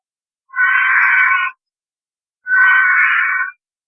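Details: White-rumped vulture (Gyps bengalensis) in Rajasthan gives two harsh, hissing screeches about a second long and two seconds apart; the species calls during copulation or while quarrelling at carcasses, otherwise silent.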